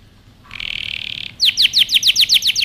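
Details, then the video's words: Canary song for training: a short buzzy rolled note followed by about eight loud sharp downslurred notes in quick, even succession. "canary singing over power canary most powerful song for best training"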